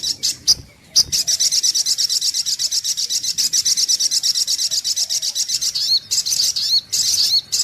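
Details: Brown-throated sunbird, called sogok ontong, on a lure recording. A few sharp chips open into a long, continuous, very high, fast trill, with thin, slurred whistles near the end.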